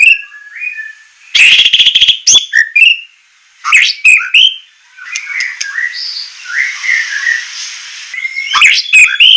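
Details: Captive-bird training recording of white-rumped shama song in the semelet style with harsh shot-like notes: a fast buzzy burst, then varied slurred whistles, rising and falling phrases, and a loud ending flourish.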